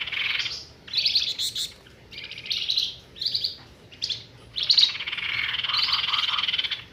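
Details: Flamboyan bird calling as a lure for bird trapping. Several short harsh buzzy bursts are separated by brief gaps, ending in a long rattling trill with faint low whistled notes underneath.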